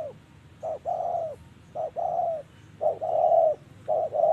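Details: Trapping-session spotted dove giving its 'giọng thổ' style coo: four quick phrases, each a brief soft note followed by a fuller, longer hollow coo, in an uneven rhythm against a quiet background.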